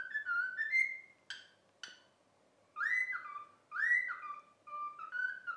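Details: Trained pet cockatiel whistling the tune "If You're Happy and You Know It": short whistled notes, two crisp clicks, a pause, then swooping upward-then-dropping whistles repeated in the melody's rhythm.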